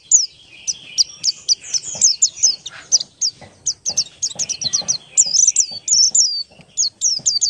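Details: Oriental white-eye, buxtoni race, singing ngalas-style as a lure for other white-eyes. A dense, fast, chattering series of high, sharp whistled notes that runs almost without pause, with brief twittered flourishes.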